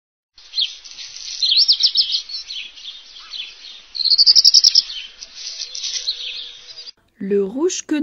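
Black redstart song: high, thin, scratchy warbling phrases with a brief rattling trill in the middle, followed by a man's voice speaking.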